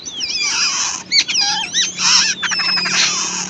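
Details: Wild babbler chicks at the nest being fed by the mother: loud, harsh, wheezy begging calls in overlapping bursts with squeaky rising and falling notes, continuous with short breaks.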